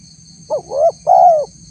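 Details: Tekukur, or spotted dove, luring call aimed at wild birds. One soft three-part coo: a short introductory note, a rising slurred coo and a sustained descending coo, clear and mid-pitched, over a faint electrical-sounding hum.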